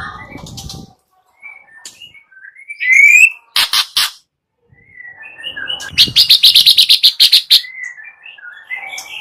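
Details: White-rumped shama morning lure with harsh 'kretek' notes. Scattered soft whistles, a rising whistled slur, two sharp raspy bursts, then a fast rhythmic series of harsh pulsed notes with quieter whistles trailing.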